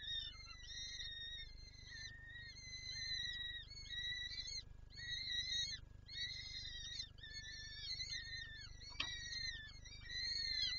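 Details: Peregrine falcon nest in Lublin, Poland, 23 April 2024, the female wanting to feed her young. Ongoing high, wavering whines rise and fall in short arcs, with one sharp click near nine seconds, over steady background hiss.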